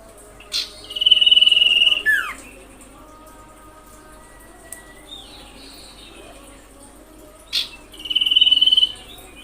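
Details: Common iora lure call to provoke rivals: a high rattling trill with a falling final note, a soft rising note in the gap, then the trill begins again.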